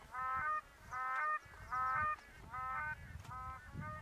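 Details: Black crowned cranes at Rigueik in Zakouma National Park, Chad, give five loud, nasal honks, each about half a second long and repeated roughly every 0.8 seconds, over a faint low rumble.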